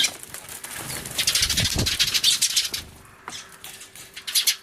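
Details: Eurasian tree sparrows calling loudly in a noisy commotion on 24 March 2013 alongside a turtledove, recorded on an Everio camcorder: dense overlapping high chirps in rapid bursts, with a brief low flutter of wings midway.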